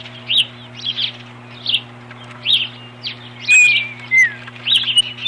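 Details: Osprey protecting its nest against an intruder on 21 April 2015: spaced upslurred chirps, a loud downward-sliding whistle midway, then more chirps, over a continuous low hum.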